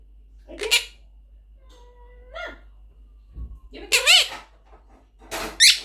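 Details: A pet blue monk parakeet (Quaker parrot) talks indoors, chattering several short, raspy, speech-like phrases with bouncing pitch, broken by a brief flat whistled tone, in a small quiet room.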